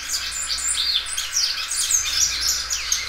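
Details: Well-cared-for Belgian canary singing loudly and extending its song: a dense stream of varied high chirps, short whistles and looping notes without pause.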